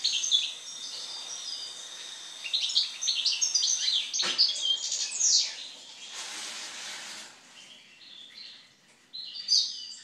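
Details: European goldfinch song after moult: a rapid twittering phrase of high chirps and trills, a loud rustling or fluttering noise partway through, then quieter scattered notes and a final bright twitter.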